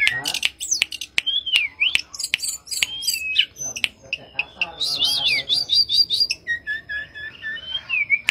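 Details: Mangrove blue flycatcher in lively song: varied whistled notes and quick slurred phrases mixed with sharp clicks and brief chattering bursts, the whistles rising and falling in short runs.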